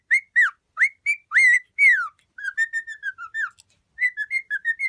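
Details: A domestic cockatiel whistles loud, rising-then-falling notes, then a softer series of short level whistles and a closing run of quick chirps.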